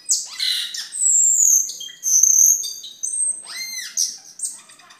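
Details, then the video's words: A cucak keling sings vigorously as a tutor song for training other caged birds and for luring: loud, clear, high whistles that slide up and down, with sharp chipping notes between phrases and a rising whistle near the end. "Suara Burung Cucak Keling Gacor"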